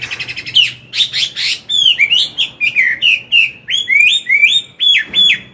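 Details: Morning song from a wild-caught adult Chinese hwamei used to train a young bird: after soft chattering, vigorous rolling whistled phrases repeat in quick succession, rich and loud.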